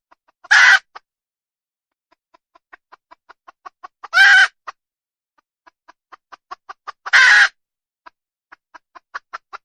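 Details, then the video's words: Wild junglefowl hen cackling: three loud, harsh squawks come about every three seconds. Each one is preceded by a rising series of soft, quick clucks, and more clucks continue after the last squawk. "Suab poj qaib qus tsauj dib tuaj zoo heev"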